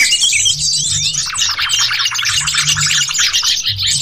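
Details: Sooty-headed bulbuls in the wild chatter as a dense, continuous flock, used as a lure sound. Busy overlapping chirps and bubbly notes run throughout, with a low hum underneath.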